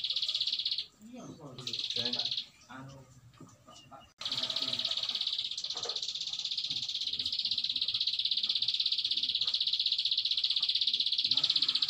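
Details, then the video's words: Bar-winged prinia singing in the long ngebren style: high, buzzy, rapid trills pulsing about four times a second. Short bursts come first, then an unbroken trill runs for over seven seconds, with people talking underneath. "Kicau Prenjak Alang Alang ngebren panjang"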